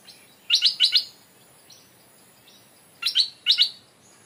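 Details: Decoy stripe-throated bulbul that has never lived in the forest, hung at its old home where another bird now lives. Three rapid twin-note chirps, a pause of about two seconds, then two more sharp doubled chirps.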